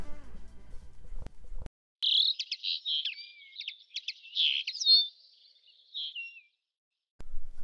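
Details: A common linnet's call, played as a bird quiz, gives a quick twittering run of bright, high chirps and thin rising whistles for about four seconds, with a man's speech before and after.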